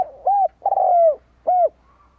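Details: Decoy spotted dove calling to attract wild doves, one brief phrase: clipped first note, long vibrating coo gliding downward, then a smooth rounded last note, low and mellow.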